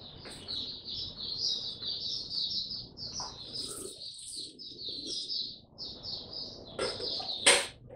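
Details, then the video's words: Oriental white-eye in tiong aw song, 25 January 2022, after a late night's sleep; bright high twittered phrases with brief pauses, ending with a few sharp clicks or knocks. "Mata Puteh Hercules V2 buka tiong aw sing"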